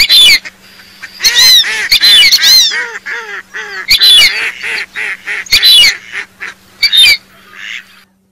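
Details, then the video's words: Whistling duck calls serving as a hunting lure: loud bursts of shrill, overlapping, whistled notes alternate with series of arched honking syllables, sharp and clipped in places, before the sound fades out. "DUCK CALL SOUND||WHISTLING MALLARD 2-CALL SOUND"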